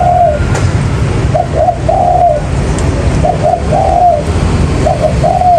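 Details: Spotted dove calling as a lure for trapping, phrases of short coos followed by a longer falling note, repeated roughly every one and a half seconds over low rumbling noise.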